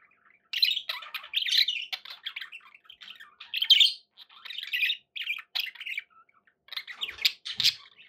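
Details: Captive budgies producing harsh squawks and chirpy chatter in short bursts of one to two seconds, separated by brief silences.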